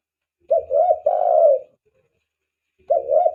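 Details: Lure recording of a spotted dove used to attract doves: a low, rolling coo phrase with a longer drawn-out final note, then another phrase begins after a pause of about two seconds.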